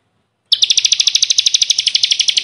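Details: Bar-winged prinia (ciblek kristal) delivering a continuous, rapid chattering trill of about twenty bright, high notes in two seconds. Recorded as a training song for caged birds.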